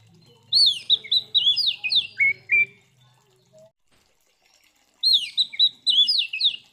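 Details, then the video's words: Oriental magpie-robin fighting song, meant to anger rival kacer: two phrases of rapid slurred whistles, the first ending in lower flat notes over a faint low hum. "Suara Burung KACER GACOR Ngeplong TARUNG Konslet ini Paling Ampuh Buat Pancingan Kacer Biar Emosi"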